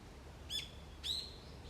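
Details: Early autumn morning wild bird calls: two short, sharp high chirps half a second apart, the second sliding slightly upward into a thin trailing note.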